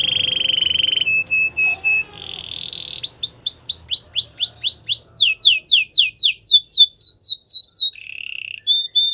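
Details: Belgian singing canary giving a varied song: a low steady trill, soft whistled notes, then a long series of loud downslurred chirps about four per second, ending on a short level roll.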